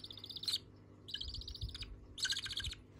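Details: Budgerigar chicks begging from each other for food: three bursts of harsh, buzzy, raspy chattering, each about half a second long, separated by short pauses, over a low background rumble.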